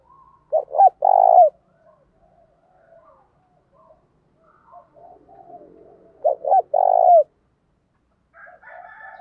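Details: Decoy spotted dove giving urging coos to draw wild doves, changing its phrase often: two loud three-part coos, two short notes then a long falling croon, with quieter distant coos between.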